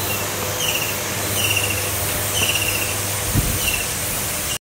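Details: Common Kingfisher (Alcedo atthis) feeding its young: thin, shrill, high whistles, each brief and slightly drawn out, repeated about four times within four seconds over a loud steady insect drone and a low constant hum.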